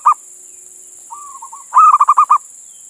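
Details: Male zebra dove, local Indonesian bird, calling to a female. A clipped coo ends one phrase, a soft wavering coo follows, then a loud rhythmic run of six pulsing coos; faint constant hiss.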